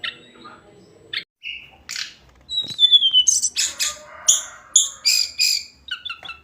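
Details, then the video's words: Tledekan gunung, or hill blue flycatcher, singing: scattered short chips, a long falling whistle, then a series of loud, rich warbled notes spaced about half a second apart. "Kicauan harian Tledekan gunung"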